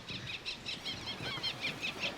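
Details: Eleonora's falcons (Falco eleonorae) at a late-breeding colony in the Cabrera archipelago, Mediterranean, in autumn, recorded from a boat, give high, harsh cackling notes in quick runs of about four or five a second over a low rumble of wind or sea.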